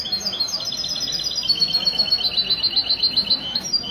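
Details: Competition European goldfinch performing Mistou-style song at a café in Ksar El Kebir, Morocco, Sunday morning, 16 February 2020; a long unbroken stream of high, evenly pulsed twittering notes, about four per second.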